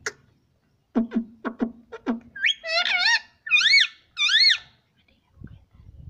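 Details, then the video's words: Pet green parrot taught to say "Mummy" indoors; a few dry clicks, then a series of harmonic, wavering, rising-and-falling voiced phrases repeated in short bursts, with quiet room noise at the end. "Talking parrot"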